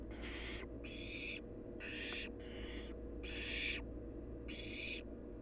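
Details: Wild barn owl nestling at its nest, playing and exercising its wings; six harsh, breathy hisses of about half a second each, repeated roughly every 0.8 seconds, over a steady low hum.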